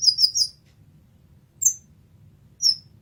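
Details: Kolibri ninja sunbird tutor song for training songbirds: a rapid burst of high, sharp twittering notes, then two separate thin, very high chirps after pauses.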